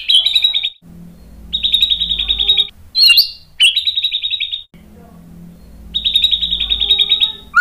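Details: White-rumped shama rattling song used to provoke other shamas: several buzzy, rapid high trills about a second long, separated by pauses, with a steady low hum in the gaps.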